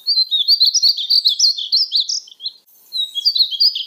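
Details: Painted bunting (Passerina ciris) song: a rapid, high, warbled phrase of varied sweet notes lasting about two seconds, a brief pause, then a new phrase begins.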